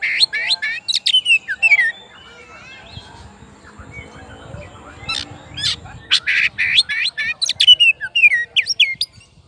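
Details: An oriental magpie-robin calls its rival with rapid, chattering phrases of harsh chips and quick whistled notes, a quieter stretch in the middle, then another energetic burst of fast notes.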